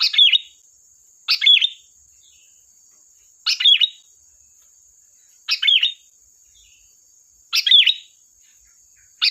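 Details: Sooty-headed bulbul repeating sharp, chirpy song phrases meant to draw other birds, six bursts with a quick dipping whistle every two seconds or so, over a thin unchanging high whine.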